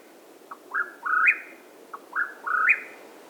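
Mexican Whip-poor-will giving two clear whistled three-part phrases, a short note, a slurred note, then a long rising whistle ending in an upward flick, about 1.5 seconds apart.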